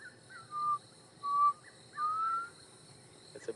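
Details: Black cuckoo giving three mournful whistled notes, said to sound like "I'm so sad," about once a second, the last drawn out and rising, over a soft insect hum, during a sunset safari drive on 1 December 2014.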